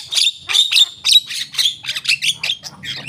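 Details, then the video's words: Javan myna giving a run of harsh, buzzy squawks repeated in quick succession, each note rough and bright, about two per second, softening toward the end. "jalak kebo gacor"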